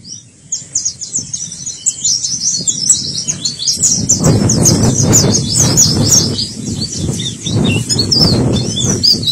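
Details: White-eye song in the "teler gela gelo" style, a dense stream of very high, fast chattering twitters throughout, over low rumbling background noise.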